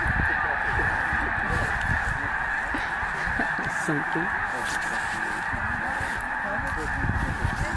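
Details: Massed cranes calling at a morning takeoff on the Rio Grande, Bosque del Apache National Wildlife Refuge, New Mexico, birds leaving their overnight water roost in unison to feed; a steady wall of overlapping calls with individual rolling notes and low background rumble.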